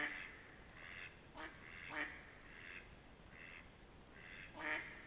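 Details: Quiet duck quacks, dated 28.03 to 03.04.2021, some broad and buzzy, others short and sharp, spaced irregularly across five seconds with steady background noise.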